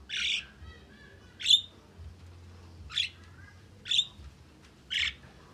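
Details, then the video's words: Javan myna (jalak kebo) in lure audio for songbirds, giving five harsh, squawking notes spaced about one second apart over a faint low hum. "Masteran full isian jalak kebo"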